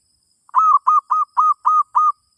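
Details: Zebra dove song played to teach a new bird: six evenly spaced, full coos delivered at about three per second, each slightly falling at the end.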